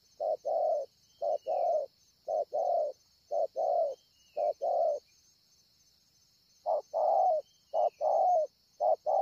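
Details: Wild spotted dove at Ngọc Hồi, Vietnam, on 25 March 2020, repeating short-then-long coo pairs in a steady run, with a pause of about two seconds midway before the cooing resumes; constant high drone behind.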